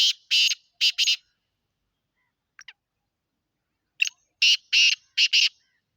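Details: Grating, buzzy call phrases of a black francolin from Sindh, Pakistan: paired rasping bursts at the start, a faint faster note mid-way, then another phrase of clipped, harsh syllables.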